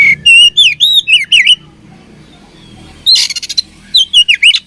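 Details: Oriental magpie-robin in Indonesia, described as a fighting bird, singing loud clear whistled notes that swoop and bend in quick series, a pause, then a harsh rasping burst followed by more slurred whistles; faint low hum underneath.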